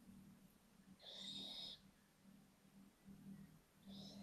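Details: Little owl owlets, one of a brood of five venturing out to explore a balcony on a live stream, give a single hoarse, hissing wheeze lasting under a second, with a fainter one at the end over a steady low hum.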